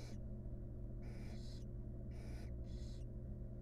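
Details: Wild barn owls in a nest box during grooming of the chicks: four long, broad, hoarse hisses in quick pairs, with constant low machine-like hum beneath.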